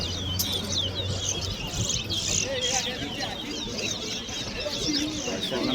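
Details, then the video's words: Towa towa birds at a singing competition at Tarla Dam: rapid high chirping and twittering phrases overlap almost continuously, with several birds singing at once over a crowd voice counting aloud and a low hum. "TOWA TOWA BIRD SINGING COMPETITION"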